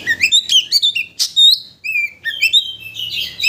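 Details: Oriental magpie-robin (kacer) singing as a lure to raise another bird's excitement so it sings its full repertoire: dense, loud phrases of sweet high whistles, quick upslurred chirps and a harsh burst, barely pausing.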